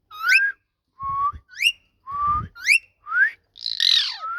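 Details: Talking ringneck parrot giving short rising whistles and quick upward-sweeping squeaks in alternation, with a brief harsh rasp at the end, plus faint low thumps.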